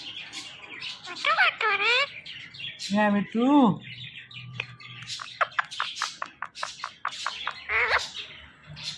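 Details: Indian ringneck parrot talking: arched, harmonic, voice-like syllables in quick pairs, followed by a rapid series of sharp chirps and clicks with scattered twittering.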